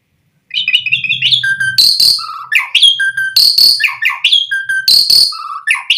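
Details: Asian pied starling song used to draw starlings into singing: continuous mix of whistled notes, loud harsh rasping bursts and low clear whistles, with a faint low buzz early on.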